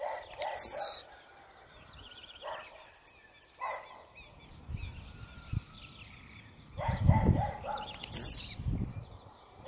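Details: Blue-black grassquit singing very aggressively: two sharp, high buzzy phrases that sweep downward, about seven seconds apart, among softer chirps from other birds and some low rumbling noise.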